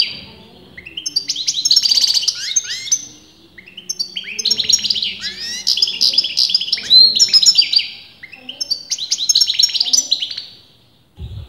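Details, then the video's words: European goldfinch, a bird experienced breeders argue over as male or female, singing nonstop in repeated bursts of fast, jingling, buzzy twitters roughly every two to three seconds, a thud at the very end. "غناء متواصل لمقنين"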